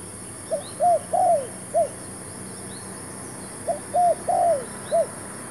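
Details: Decoy spotted dove at a trapping site producing two matching phrases of soft coos, a short note, a longer drawn note, then a clipped ending, about three seconds apart. A constant high insect whine runs behind.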